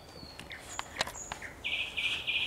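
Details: Sunset song of a thrush nightingale, 30 May 2021: scattered clicks and thin high whistles, then a dense, buzzy, rapidly pulsing phrase that carries to the end.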